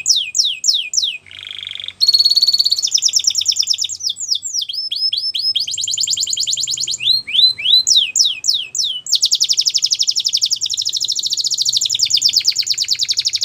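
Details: Canary singing for training young canaries: a varied sequence of rapid downslurred notes, a low buzzy phrase, rolling trills and dense high rattles, changing tour every few seconds.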